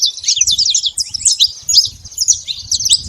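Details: Saffron finch flock noisily feeding at a feeder: a tangle of rapid, high-pitched twitters and chips from many birds overlapping throughout, backed by faint low-frequency background sound.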